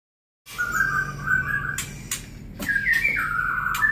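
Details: A young white-rumped shama in a breeding cage gives sustained, wavering, mid-pitched whistled notes that rise slightly toward the end, broken by sharp clicks and knocks in a small room.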